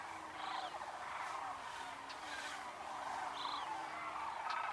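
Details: About 30 male Greater Prairie-Chickens lekking at first light on a misty mid-March morning in Nebraska. They display for females on sparse upland prairie, though no females are present. Low, hollow booming notes repeat beneath cackles, with cranes and meadowlarks audible.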